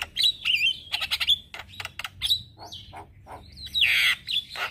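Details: Morning song of a male black-winged starling used as lure and tutor for starlings: whistled slurs, raspy chatters and clicks, with a long harsh screech near the end.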